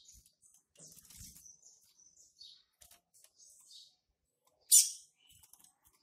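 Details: A young Double-collared seedeater, hatched March 2019, already trying to mark its territory, gives soft, high twittering and short whistled phrases with one sharp, louder note near the end; faint knocks are heard in the background.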